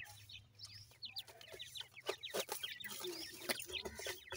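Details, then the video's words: High, thin chirps from francolin (teetar) chicks, each note sliding downward and repeated several times a second, with a faint low hum and occasional taps. "irani teetar chicks ki voice"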